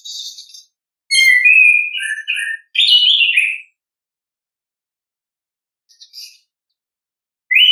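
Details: Natural song of an orange-headed thrush, offered to coax lazy caged birds into singing: varied whistled phrases at middle pitch, short warbled notes and a louder fluttering rising-falling phrase, then silence with a brief high scratchy note.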